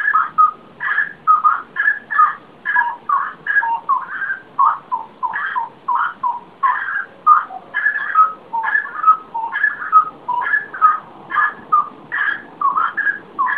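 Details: Unidentified bird singing in the small hours before dawn: a steady series of short, mid-pitched whistled notes, rising and falling phrases about once a second, over a low background hum.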